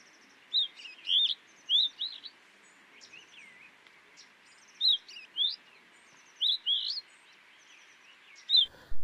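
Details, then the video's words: Streaked rosefinch (Carpodacus rubicilloides) delivering a series of brief chirped and slurred whistle phrases, irregularly spaced, with light background noise and a click at the end. "O canto do Pintarroxo estriado"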